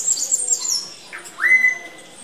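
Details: A Blue-gray tanager (Thraupis episcopus) calls while eating banana: thin, very high chirps, then a quick upward-slurred note that levels into a steady whistled tone.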